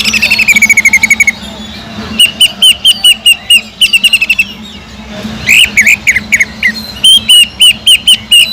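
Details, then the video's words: Greater green leafbird in full voice with its kingfisher (tengkek udang) imitation for training other birds; a fast repeated series opens, followed by spaced sharp chirps, often in pairs, then varied twisting notes. "PANCINGAN CUCAK IJO GACOR ISIAN ISTIMEWAH TENGKEK UDANG"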